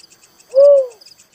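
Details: A single soft, hollow, downward-curving coo from a Little cuckoo-dove, clear above faint high-pitched insect chirps.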